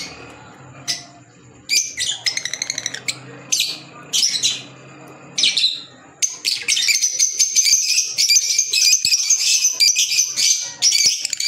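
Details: Green Fischer's lovebirds, pet birds, starting with spaced, sharp chirps and buzzy squawks, then breaking into fast, continuous, high chattering with rapid stuttering notes for the last five seconds; faint indoor hum beneath.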